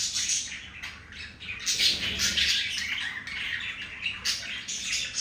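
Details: Pet budgerigars during a breeding moment, a pair mating indoors; continuous busy chatter of scratchy, squawky warbles and chirps, high-pitched and overlapping throughout.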